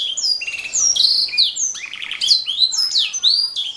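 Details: Canary song used as a master recording for training songbirds: fast, continuous high warbling of sweeping whistled notes and short trills, many phrases sliding downward, with a brief buzzy burst in the middle.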